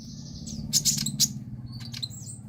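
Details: Sunbird song played to prompt silent sunbirds into singing and to tutor young birds: brief high, thin chirps and sharp tweets at about one second, over a steady low hum.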